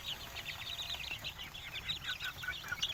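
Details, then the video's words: Native village chickens calling: rapid, continuous high-pitched chirps and peeps crowding together, several birds overlapping throughout, over a low constant hum. "ayam kampung"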